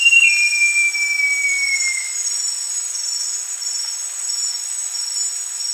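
A great jacamar gives one long, clear whistle lasting about two seconds, sliding slowly downward. Steady high insect drone continues throughout.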